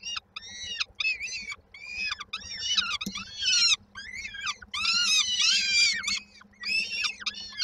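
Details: Peregrine falcon chicks in Koszalin, Poland, 19 May 2022, waiting for the mother to deliver supper. Several chicks give strident, wavering begging screams in quick overlapping bouts, with a loud peak in the middle and faint low hum beneath.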